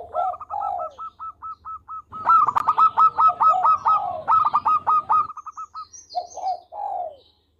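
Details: Loud, busy zebra dove song from local birds: overlapping staccato trills of rapid clipped notes run almost continuously and mingle with rolling coos. The trills end with soft falling coos.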